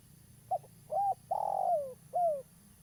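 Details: Spotted dove of local stock, vocal and used as a trapping lure: one clear phrase of a short note, a rounded coo, a long downward-sliding wavering coo, and a final descending coo, over steady low hum.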